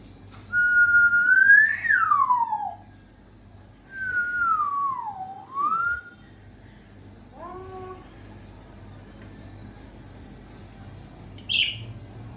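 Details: African grey parrot in Sukkur giving long, clear whistled tones: a level whistle sliding down, then a falling-rising swoop, followed by short harmonic notes and a brief high squeak, with a low hum behind.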